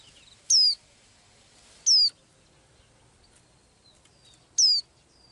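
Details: Blue-eyed little bird that sings daily, giving three short, very high downslurred whistles at uneven intervals of one to three seconds, with a few faint thin chirps between them and quiet background noise.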